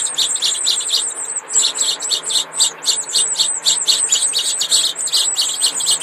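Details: Four Mexican sparrow nestlings, too young for the males' breasts to show red, keep up a dense, high, scratchy chorus of overlapping chirps, about four per second, with no other sounds standing out.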